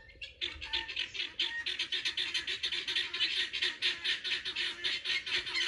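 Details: A group of pearl guineafowl foraging for insects in a garden. They keep up a dense, continuous, rasping chatter of rapid harsh notes that overlap, louder and more crowded after the first half second.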